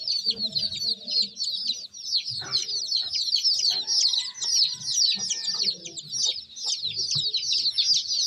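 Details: Chicks peep in a dense, steady chorus of high, quick falling notes, while softer low murmuring sounds and a faint sustained tone run underneath through the middle.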